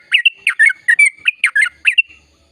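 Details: Sooty-headed bulbul singing energetically in a long rapid song meant to spur quiet birds to sing: a short burst of about ten quick, slurred chirps with a thin whistled tone running underneath, fading out at the end.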